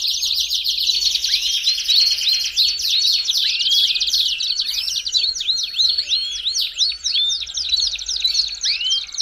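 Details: Belgian canary song used to warm up another canary: a dense, continuous high warble of fast buzzy trills overlaid with repeated rising and falling whistled sweeps, several strands seeming to overlap throughout.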